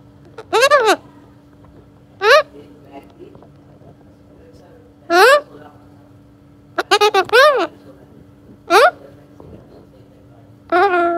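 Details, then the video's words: Young pet Alexandrine parakeet talking: short, harsh, speech-like syllables, each a quick rising-falling squawk, in bursts about every one to two seconds, with a doubled burst near the middle and a steady low hum behind. "Alexander Parrot Baby Golu Talking"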